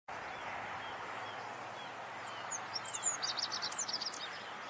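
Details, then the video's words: Rock bunting singing in the Moselle valley, Germany: a short, high, thin phrase of rapid squeaky notes and sharp downslurs near the end, over a steady hiss of background noise. "Rock Bunting sings. Zippammer singt."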